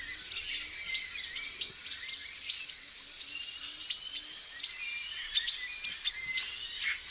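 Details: A male silver-beaked tanager in a backyard gives sharp, high chirps and clipped notes, roughly twice a second, over a steady high insect hiss and other small birds.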